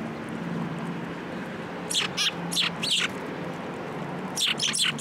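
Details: Sparrows coming to a bench for food at a Tenmangu shrine on 15 November 2022: two bursts of short, bright chirps, several quick notes in each, over a steady low background hum.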